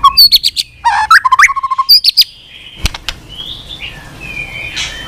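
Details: White-rumped shama singing with many unusual voices: a burst of quick, varied chirps and slurred whistles over two seconds, then faint distant whistles and quiet background.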